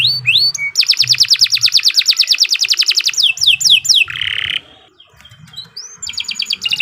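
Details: Canary in energetic song for training other canaries: a long rapid rolling trill, short whistled sweeps, a harsh buzzy phrase, a brief lull, then a new trill, over faint low background hum.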